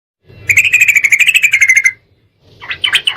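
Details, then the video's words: Sooty-headed bulbul song played as a lure to trigger other birds into singing: a loud fluttering run of rapid bubbly notes for about 1.5 seconds, a short pause, then a burst of fuller chattering phrases. "buktikan suara pancingan TRUCUKAN 💯% langsung bunyi"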